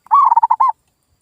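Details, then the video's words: Zebra dove lure call, used to provoke local zebra doves that have stopped calling into answering: a single rapid phrase of about six pulsed, mellow cooing notes lasting roughly half a second, then silence. "SUARA PIKAT PERKUTUT GACOR"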